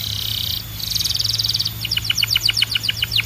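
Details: Canary singing: a steady buzzy roll, then a rapid pulsed trill, then a run of high downslurred notes repeated about four times per second.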